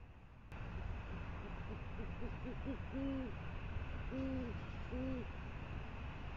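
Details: Great horned owl (Bubo virginianus) hooting softly after bringing prey, a quickening run of short low notes then three longer, deeper hoots about a second apart, over a steady low rumble; Presidio, 28 January 2019.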